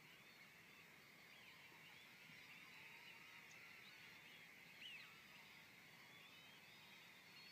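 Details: Part of a flock of about two thousand European Golden Plovers piling into Middle Scrape at RSPB Frampton Marsh in the evening: a continuous wash of overlapping soft whistled calls, with one clearer rising whistle near the five-second mark.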